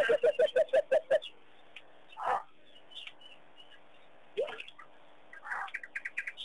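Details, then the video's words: At Pete's Pond, Mashatu Game Reserve, Botswana, on 21 Jan 2010, Burchell's coucals sing while cattle egrets dance: a quick run of about eight low, hollow hoots, then scattered chirps and a few harsh, broad bursts. "the Coucals' Song"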